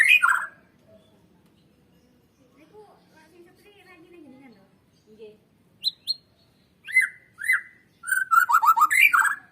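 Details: Lure song of a white-rumped shama for prompting birds to sing: a short loud phrase, a long quiet stretch with faint low warbles, then sharp high notes building into a fast whistled run.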